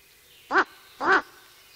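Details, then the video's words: Ural owl reacting to a person near its nest: two harsh, hoarse barking calls, the second longer, about half a second apart, against a quiet background. "Strix uralensis (Ural owl) 5. Reaction to the presence of man near the nest"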